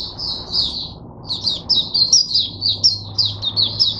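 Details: Singing oriental white-eye, a caged teacher bird for other white-eyes, 22 January 2022: a high warbled phrase, a short break, then rapid pulsing chirps repeated several times per second.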